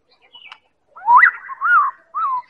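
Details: White-rumped shama of the Medan type, used as a lure to prompt other birds to sing; a loud rising slurred whistle followed by two softer falling whistled notes.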